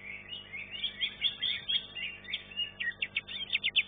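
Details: Greater green leafbird (cucak ijo) at a bird singing competition, delivering a scratchy, twittering stream that ends in a fast series of loud, evenly spaced chipping notes.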